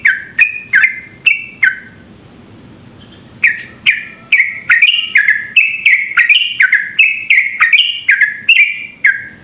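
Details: Lively sooty-headed bulbul delivering a long rapid rolling song, used to provoke other bulbuls into quick singing: a few bubbly slurred notes, a short pause, then a dense, steady string of liquid up-and-down whistles; a faint continuous high whine is also audible.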